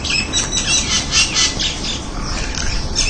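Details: Crested myna (Acridotheres cristatellus) giving harsh, squawky chattering notes in quick bursts about every half second, with a steady hiss of background noise.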